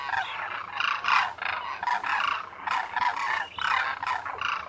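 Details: Wintering demoiselle cranes, known locally as koonj, in a flock of thousands at a lake near Khichan village in the Thar Desert, Rajasthan, India; overlapping harsh trumpeting calls rise and fall in bursts from many birds at once.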